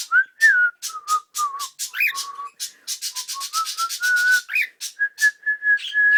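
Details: Cockatiel rehearsing "Kotori no Uta" with a string of clear whistles, held and slurred tones, and occasional upward swoops, accompanied by rapid scraping noises in the middle stretch.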